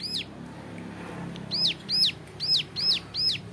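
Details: Young male Bar-winged Prinia, locally ciblek gunung, singing 'nembak variasi' as a training model: one shrill arched note, a pause, then a run of four evenly spaced high, down-curving notes over soft low background hum.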